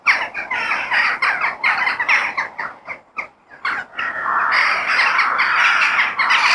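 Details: Crows in a natural setting give rapid, grating caws that overlap, then fall briefly quiet before a steady, noisy crowd of calls resumes and swells toward the end.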